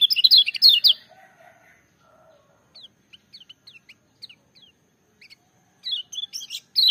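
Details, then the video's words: Kecial kuning (lemon-bellied white-eye) song: an opening second of loud, quick high twitter, a faint lower warble, then sparse thin, isolated high chips before another burst of rapid notes at the end. "Kecial Kuning joss gacor menggelegar tapi merdu"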